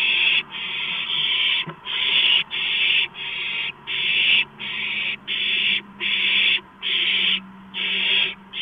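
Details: Begging owlets at a rodent delivery: rapid, steady series of harsh hissing screams, each under a second long, with barely any pause between them.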